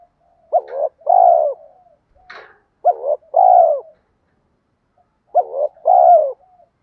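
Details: Spotted dove giving a lure cooing call meant to draw in other doves. Three hoarse two-part phrases, each a short throaty note and then a longer, rolling, slightly falling coo, spaced about two seconds apart. There is a faint click between them.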